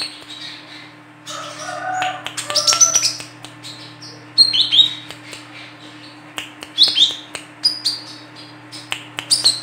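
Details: Female olive-backed sunbird, sharp rapid stuttering calls for luring birds: a dense twittering burst, then scattered high chirps and short trills, with a steady electrical hum.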